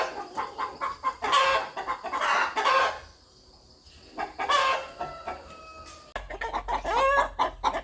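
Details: Rooster clucking in a rural farmyard: loud grating clucks in pairs, a pause, then a faster, clattering run of rapid clucks toward the end.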